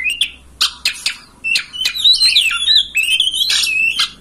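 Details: Oriental magpie-robin, a kacer master song meant to make a kept bird open its tail and sing; rich varied phrases of whistled glides, sharp clicks and buzzy notes rising and falling between mid and high pitch, packed densely together.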